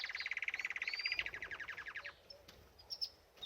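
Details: Canary at a birdbath, singing while bathing: a rapid rolled trill of repeated notes lasting two seconds with a high whistled slur over it, then quiet with a few faint chirps.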